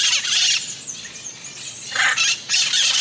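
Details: Grating hyacinth macaw screeches, a long harsh call, a quieter stretch, then two more rasping bursts.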